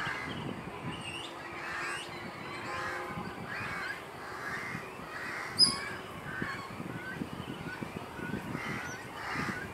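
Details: Great cormorant fledglings at nests on Kaikondrahalli lake, 21 April 2021, begging for food from parents nearby: repeated harsh croaking and honking calls in uneven bursts over a steady background murmur, with a few high chirps.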